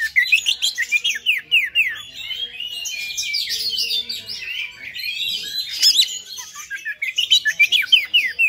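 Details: Oriental magpie-robin in high fighter song aimed at provoking rival magpie-robins; long outpouring of rapid down-slurred whistles, chattering trills and mimic-like flourishes, steady and loud throughout.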